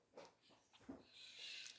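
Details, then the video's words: Parakeets (maritacas) give harsh, raspy screeches in a quick burst, faint and somewhat distant, heard from inside a classroom during a teacher's science lesson. "Tem umas maritacas aqui, vocês estão ouvindo?"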